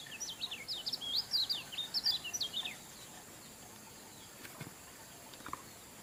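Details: Kecial kuning (lemon-bellied white-eye) singing a lively 'super ngejos' song: a rapid, high twittering run of thin, quickly varied chirps and slurred notes for about three seconds, then quiet with faint background hiss.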